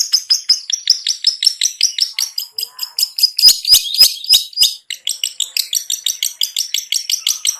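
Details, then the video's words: Long-tailed shrike singing, used as a lure to trigger singing in sluggish birds: rapid dense series of harsh, scratchy chattering notes high in pitch, delivered in quick bursts, with a few sharp clicks in the middle. "SUARA CENDET NGETET‼️Pancingan Ampuh Untuk Burung Cendet Lelet Bunyi Kurang Emosi dan Gembung⁉️"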